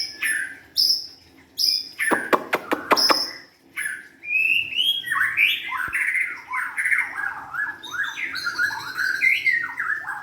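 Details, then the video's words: White-rumped shama singing high, clear notes and a quick series of clicks, then a long, lively run of warbling, looping whistled phrases. "kicauan murai batu"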